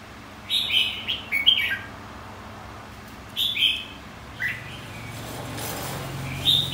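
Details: Red-whiskered bulbul singing in contest style to stimulate another bird; several brief, chattering warbled phrases spaced irregularly, each a quick cluster of slurred whistles, with a faint low hum late on.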